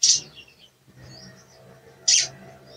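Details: A sooty-headed bulbul's cuit cuit, played as a lure for a bird that is not singing: two abrupt, shrill chips two seconds apart, with only faint twitter between them.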